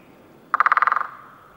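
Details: A great spotted woodpecker recorded in Sweden drums a single short roll of about ten rapid knocks in half a second, fading at the end, against faint background hiss.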